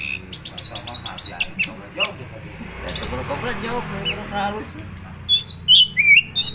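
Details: Orange-headed thrush, called anis kembang, in its 'ngeroll' rolling song. A quick series of high clipped chirps is followed by descending whistled slurs near the close, with faint low noise throughout.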